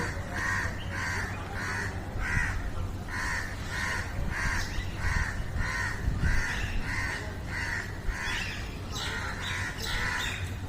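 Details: Crows calling steadily, harsh harmonic caws repeated roughly twice a second in long runs, several birds overlapping, with a low constant hum beneath.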